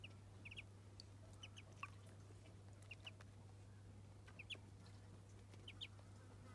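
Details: Muscovy ducklings during their first bath peep in short, high double and triple notes, repeated roughly every second, with a constant low hum underneath.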